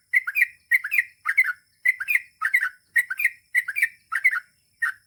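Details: Yellow-vented Bulbul (trucukan) in gacor, long ropel-style song, delivering clustered bubbly warbled phrases of two to three notes, roughly eight bursts in quick succession with short gaps between them.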